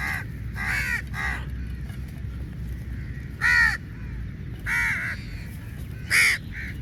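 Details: Large group of crows squabbling over meat at a feeding, uttering hoarse, ragged caws in irregular bursts, several loud close calls standing out over distant cawing and low ambient noise.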